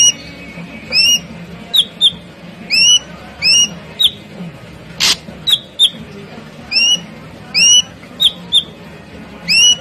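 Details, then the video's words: Ashy drongo in lively, rapid-fire song. It delivers bright, upslurred whistles and short clipped notes in irregular bursts, with one loud broadband crack near the middle. "Burung srigunting abu gacorrr full tembakan"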